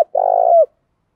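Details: Spotted dove giving a single long, steady, low coo that ends in a brief downward slur, used to stimulate other doves to coo; otherwise quiet.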